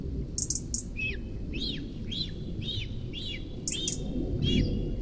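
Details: Nest-bound cinereous vulture youngster in Rascafría, Guadarrama mountains, demanding food from its approaching mother a month after fledging: a quick run of about eight arched, chirping notes, evenly repeated, mixed with thin high squeaks and a background hum.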